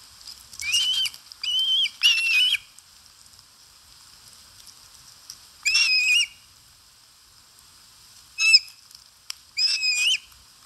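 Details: Feeding Osprey on its nest in Satakunta, Finland, captured by a live camera on 4 August 2022, gives high whistled, slightly undulating chirps: three close together, then a pause before three more spaced bursts.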